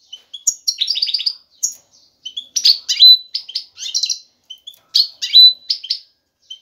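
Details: Excited male European goldfinch singing to lure a female into pairing and nesting; bright clipped chirps and short twittering phrases in bursts separated by brief silences.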